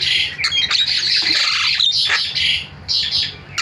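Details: Starling lure calls, used to get silent starlings calling: dense, harsh, scratchy squawks run almost without break, with a few thin whistled notes mixed in and brief dips between bursts.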